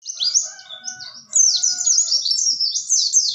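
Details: Oriental white-eye singing, a fast high twittering stream of thin sweeping notes with a quieter opening and a louder continuous burst in the second half.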